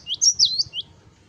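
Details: Short burst of cinereous tit 'wucit wucit' song, piercing high slurred whistles rising and falling within under a second, with a soft low rumble in the background.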